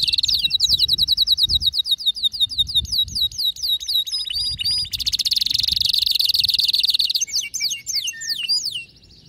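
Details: Excited male canary singing vigorously: rapid trains of identical high chirps, a dense buzzing roll in the middle, then fast repeated upswept whistles, with faint low rumbling underneath.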